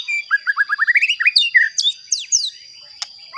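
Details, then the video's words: White-rumped shama song to provoke other shamas: a rising series of short whistled notes speeding up, then varied sweeping whistles and a click, over a constant high tone. "Pancingan Murai Batu Agar Bunyi Ampuh Bikin Emosi Murai Batu Lain"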